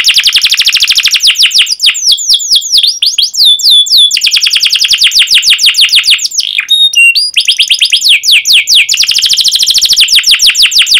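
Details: Long, emphatic canary song with 'ngerol' rolls, used to prompt young canaries to answer and learn: fast buzzing trills alternate with sweeping whistled runs, a brief pause of clear pure notes midway, then more rapid rolling trills.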